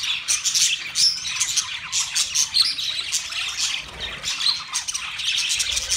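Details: Several budgies, the small Australian parrot, chirp at once, making a busy, unbroken warble of quick high tweets and scratchy notes that swells and dips slightly in loudness.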